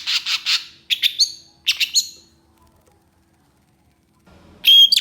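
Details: Agitated Long-tailed shrike producing groups of three harsh high chips with short rising slurs, then falling silent before one loud, piercing whistle at the end.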